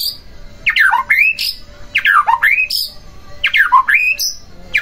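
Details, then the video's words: White-rumped shama singing to provoke a rival into song: three repeated phrases, each a harsh squawk sweeping down then rising, with high whistled notes between, about every one and a half seconds. "Pancingan Murai Batu Agar Bunyi Langsung Emosi Bongkar Isian"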